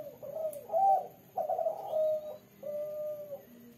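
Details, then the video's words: Female spotted dove, red with a black collar, cooing actively at night in the three-note style: three low, mellow coos, the first short and throaty, the second longer, the third a smooth drawn-out note, with quiet background hiss. "derkuku warna kuk 3, gacor di malam hari"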